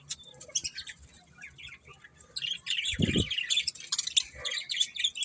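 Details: Budgerigars chirp softly at first, then break into denser high twittering chatter after a dull thump partway through.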